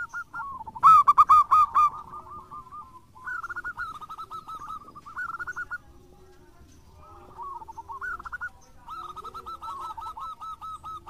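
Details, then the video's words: Local zebra dove in active song: bursts of rapid, wavering cooing notes delivered in phrases separated by short pauses, opening with a loud, harsh-edged flurry before softer repeated coo runs. "Perkutut Lokal Gacor"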